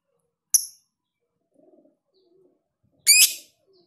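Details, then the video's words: Lovebird tutoring recording, ngekek panjang with tight gaps: a thin, sharp high chirp, soft low murmuring notes, then a louder harsh, buzzy shriek about two and a half seconds later. "Masteran Lovebird Ngekek panjang jeda RAPAT"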